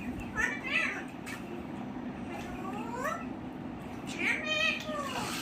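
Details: Talking parrot, said to say "Radhe Radhe", produces several harmonic, voice-like phrases that sweep up and then down, separated by pauses, over a constant low background hum.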